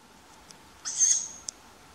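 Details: A young tawny owl begging its parents for food at night in May in Funbo, east of Uppsala, Sweden, gives a single high, wheezy hiss about half a second long, rising then sustained, with faint clicks before and after.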